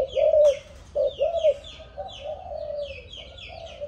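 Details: Seven-month-old young spotted dove of Malaysian stock, offspring of a stuttering-style decoy bird, giving hollow low coos: two short clipped notes, then a long drawn-out wavering coo, with faint thin descending chirps from other birds high above.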